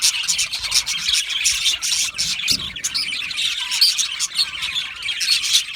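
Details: Aviary colony of Australian budgerigars producing constant chattering, a thick wash of high twitters and scratchy chirps from many birds at once.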